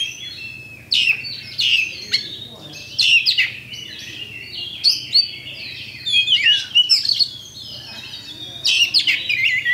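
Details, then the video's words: Champion kacer, the Oriental magpie-robin, in pancingan song meant to trigger fighting: separated bursts of scratchy chirps and downslurred whistles roughly every one to two seconds, gaps quiet apart from a low hum. "LANSUNG TARUNG ! PANCINGAN KACER JUARA"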